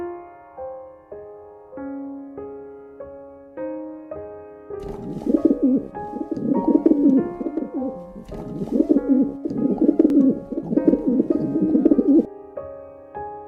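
Rock dove cooing: low, throaty, rolling coos in repeated bursts over several seconds, with gentle piano notes before and after.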